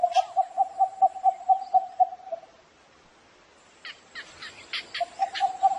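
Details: Rhythmic low knocking calls of a cinnamon bittern in the morning, around ten quick notes, then a silent gap, then chips from other birds and a fresh burst of the same knocking series.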